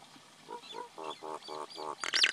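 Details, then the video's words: Common myna calling: a series of six nasal, croaking notes repeated about every quarter second, growing louder, ending in a loud, harsh, chattering squawk. "Common Myna Sound ! Common Myna Song ! Common Myna Call ! Common Myna Vocal ! Common Myna Voice"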